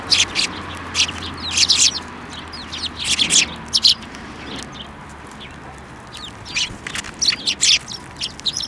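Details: Sparrows flock to a hand for food at a Tenmangu shrine, 28 December 2023, chirping busily in high, buzzy bursts that come in clusters, with a quieter gap midway before the chattering resumes.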